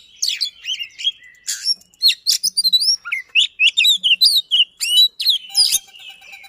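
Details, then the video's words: Fast, persistent Oriental magpie-robin song used as a lure to get a silent magpie-robin to sing: rapid sequence of sharp rising and falling whistles, chips and short trills, closely packed for over six seconds. "Speed Rapat Durasi Dapat | Roll Tembak dan Ngotot, Pancingan Kacer Macet Bunyi."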